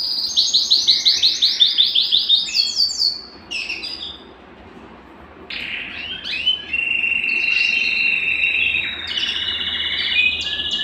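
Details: Belgian canary in breeding-stimulation song: a rapid rhythmic trill of repeated high notes for three seconds, a brief pause, then long steady whistled tones and buzzy rolls.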